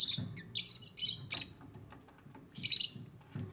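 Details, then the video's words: Pet African lovebirds in an aviary chirping in short, shrill, high bursts separated by brief pauses, with soft low thumps in the background. "AFRICAN LOVEBIRDS CHIRPING SOUNDS"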